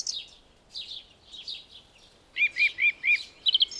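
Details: Song thrush singing in a garden during the spring dawn chorus: a clear, bright note repeated four times in quick succession, then a sharp rattling flourish, after softer, fainter warbling phrases from distant birds.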